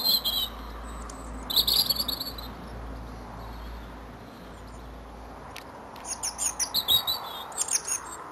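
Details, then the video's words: European robin, a male, singing from a hawthorn tree at Edgcumbe, Wendron, Cornwall, on a cold grey January morning; high thin warbled phrases in short bursts separated by pauses, with low steady background rumble. "Robin Singing His Heart out"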